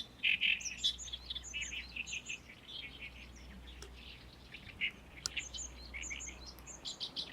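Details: Great reed warbler in a reed colony by Lake Biwa in May, where many sing here and there; rasping chattering phrases come in short bursts with brief pauses, and a few sharp clicks are heard between them.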